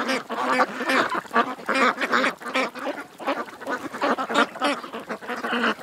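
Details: Ducks crowding at a creek produce rapid, harsh quacks, roughly two or three a second, uneven in rhythm, forming a steady rolling chorus.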